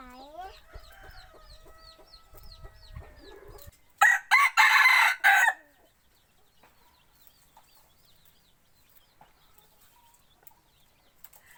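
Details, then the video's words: A hunting decoy rooster crows once, loud and raspy, in four choppy bursts. Before it, other birds give quick repeated chirps and whistles, and quiet background sound follows. "Tiếng gáy gà mồi"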